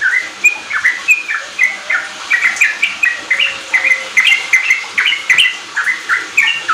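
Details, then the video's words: Sooty-headed bulbul singing a ropel-style lure for kept young birds; varied, jumpy whistled chirps, some higher and some lower, tumbling along quickly at roughly three to four notes per second. "Pancingan trucuk ampuh bikin trucukan bahan cepat riwik ropel gacor"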